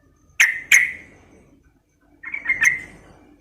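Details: Calls of a female sooty-headed bulbul aimed at a male: two loud clipped chirps, a short gap, then a rapid jumbled cluster of chirping notes over faint low background hum.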